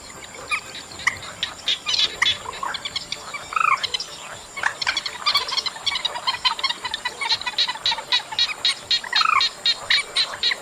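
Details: Chestnut munia in August, a dense run of rapid clicking, chattering notes repeated roughly four times a second, broken by a few louder rising, slurred call notes, with constant faint high hiss behind.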